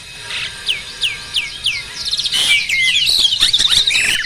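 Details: Adult male Asian pied starling in breeding condition, pumping display song; several separate descending slurred whistles, then a loud rush of tangled chattering, buzzy and whistled notes.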